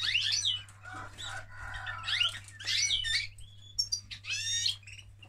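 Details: Male canary singing during mating: rich, fast warbling with rising and falling whistled phrases, buzzy trills and bright chirps in bursts, over a steady low electrical hum.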